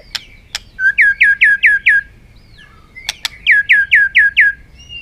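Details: Fired-up white-rumped shama in fighting song under afternoon sun, hopping on its perch: two sharp clicks, then a rapid series of five identical rising whistled notes, the whole phrase repeated twice.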